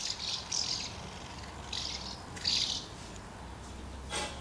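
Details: Numerous common house martins around two nests, feeding and fledging young, 24 August 2012. A few separate buzzy chirps spaced about a second apart, then a broad scratchy burst at the end.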